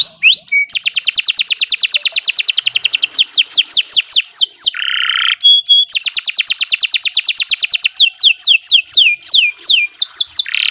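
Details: Canary in long, steady song, recorded as a tutor for other songbirds: very rapid, even trills of repeated descending notes, broken once by a short buzzy roll, then more fast trilled tours with sweeping whistles.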